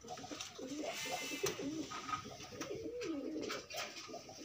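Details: Free pigeons pairing up. Low, throaty coos roll and dip over a busy background of rustles and small knocks.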